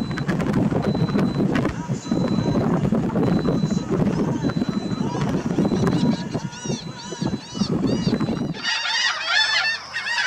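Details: Black Skimmers in Texas on the Gulf coast give a stream of short, nasal, barking yaps, many birds overlapping, over a steady low roar that drops away near the end, leaving the calls clear.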